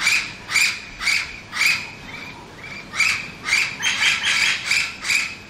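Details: Orange-winged amazons (Amazona amazonica) in town at Lecheria, Venezuela, give harsh, screechy squawks, about two per second, in a loose, slightly uneven series.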